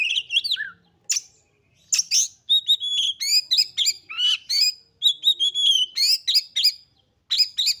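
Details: Female oriental magpie-robin calling to stir males into agitation and fighting. Nearly continuous varied phrases: sharp high chips, looping whistles and rapid chattering series, with only brief gaps.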